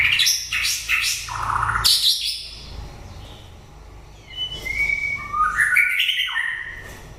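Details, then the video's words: White-rumped shama singing at the end of the breeding season: harsh broadband notes open, then varied clear whistled phrases, some rising, others falling, pausing near the middle before a run of bright rising and falling whistles. "Chòe lửa bông hót cuối mùa sinh sản"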